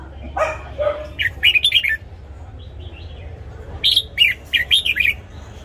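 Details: Red-whiskered bulbul in a cage sings its morning training song: two lower mellow notes, then two bursts of rapid, bright, warbling whistles, each a chain of quick slurred notes, over a faint low hum.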